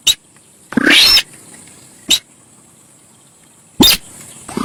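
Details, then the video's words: Javan pied starling, lure recording, with one long grating phrase sweeping upward, flanked by brief clipped bursts a second or more apart; continuous thin high whine behind. "suara cruit cit cuit...burung SINTAR sawah"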